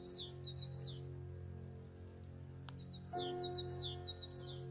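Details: Great tit, locally called "agua" and said to announce coming rain, singing along a greenway path in Spain: bright high downslurred notes, each followed by short clipped notes, repeated several times a second over a steady low hum.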